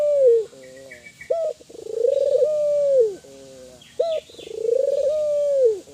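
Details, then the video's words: Kelantan spotted dove calling actively, used to prompt other doves to call: a sharp short note followed by a long, steady, hoarse coo that drops off at the end, repeated twice, with faint higher chirps and a constant high hiss. "Suara burung TEKUKUR gacor, merangsang burung Tekukur agar bunyi, burung tekukur kelantan gacor."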